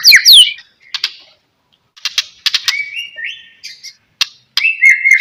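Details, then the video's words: White-rumped shama song used as a lure to make other shamas sing: sparse sharp clicks and short high notes, then a rising whistle and a steady, slightly wavering whistled ending. "DENGAR KICAUAN MURAI GACOR INI"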